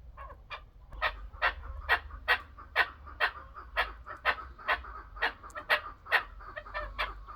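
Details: Chukar partridge giving a chattering string of hoarse chuck notes, slightly uneven, a little over two per second and swelling in loudness, over a low steady hum.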